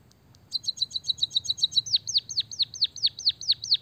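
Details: Singing white-headed munia with borrowed canary material: a rapid, fizzing high trill of paired notes runs for over a second, then gives way to a regular series of bright, downward-sliding whistled chirps.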